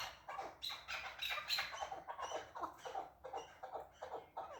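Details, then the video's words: Chukar partridge calling, described as excited: a fast, irregular series of short chuck-like notes, several per second, some with bright upper tones, with a faint background hiss. "КАБКИ маст || Красивый голос Куропатки || KEKLIK SESI"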